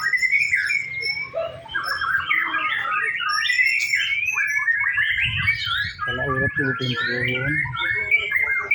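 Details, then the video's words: White-rumped shama singing during a practice singing contest, a lively mix of whistles, slurred notes and fast trills, with a human voice briefly heard partway through. "Simulasi lomba murai batu"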